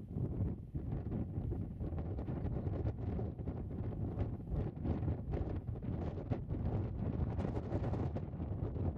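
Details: Steady low rumbling wind roars across the microphone throughout, with no bird or other animal audible.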